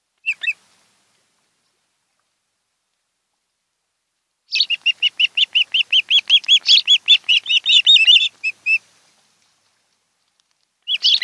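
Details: A mated osprey pair at their nest on Kent Island, Maryland, on a July 2018 afternoon. After a lone chirp and a long quiet gap comes an extended stream of some twenty-five rapid, piercing whistled chirps, ending abruptly, then one more burst.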